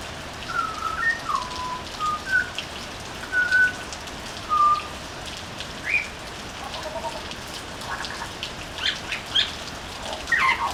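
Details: A butcherbird sings on a veranda: rich, fluted whistles, short pure notes and gliding slurs spaced a second or so apart, mid-pitched, over a steady hiss of rain.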